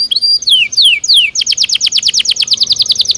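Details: Belgian canary singing naturally: three high downward-sweeping whistles, then a fast, even trill of clipped notes repeated about three times a second, bright and piercing throughout.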